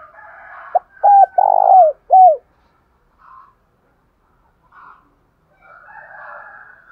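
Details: Spotted dove cooing to stir other doves to reply: one phrase of a short note, a long rolled coo and a final falling note near the start, then faint distant coos and soft background bird sounds.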